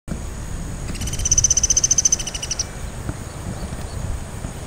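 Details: Sunda pygmy woodpecker calling and drumming on a dead tree at Kranji Marsh. A rapid, high, buzzy trill of closely repeated notes lasts about one and a half seconds, then fades, over a low rumbling background.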